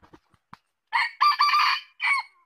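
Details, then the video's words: A few faint clicks come first, then a red junglefowl crows once: a hoarse, broken phrase rising into a long rasping middle and ending in a short clipped note. "Suara ayam hutan | Chicken fowl sound"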